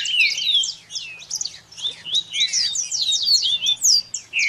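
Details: Double-collared seedeater (Sporophila caerulescens) tutor song, a model for young birds to learn: a rapid, high stream of sweet slurred whistles and twittering notes.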